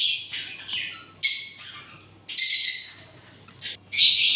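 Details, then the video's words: Parrots squawking in harsh, high bursts: several rasping cries, some sliding downward, separated by short quiet gaps. "Parrots original sound"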